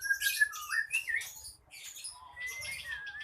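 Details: Agitated short-tailed bird in a contest-style aggressive song meant to spur rival birds into fighting: harsh squawky bursts mixed with short slurred whistles and a long thin whistle near the end, recorded indoors.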